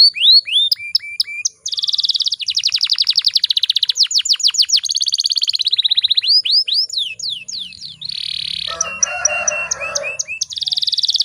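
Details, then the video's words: Canary hen used to provoke males into song: fast high rolling trills and sweeping whistled notes change abruptly from phrase to phrase, with a harsher, noisier burst near the end. "PANCINGAN KENARI BAHAN AGAR CEPAT BUNYI"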